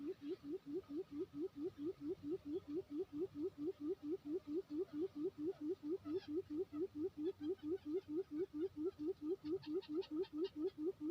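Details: A decoy quail from Lombok, West Nusa Tenggara, gives a long steady run of low hollow hooting notes, about four a second; faint high chirps near the end over a soft hum; quail.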